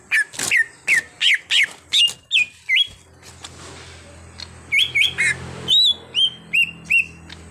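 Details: Greater green leafbird (cucak hijau), an untrained bird being conditioned to sing prolifically: a rapid string of bright whistled chirps with hooked downslurs, a short pause, then looping whistled notes rising and falling. A low background hum runs throughout.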